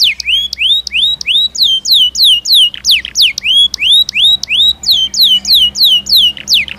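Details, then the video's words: Belgian canary song: a lively run of rising and falling whistled sweeps, repeated about three per second, with a faint low hum in the background. "Som de 1 Hora com Canario Belga Cantando Naturalmente"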